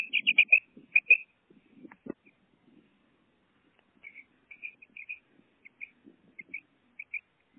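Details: Pet female common quail calling: short high whistled notes in quick pairs and triplets, repeated in bursts about every half second, with soft low rustling and a single knock in the background.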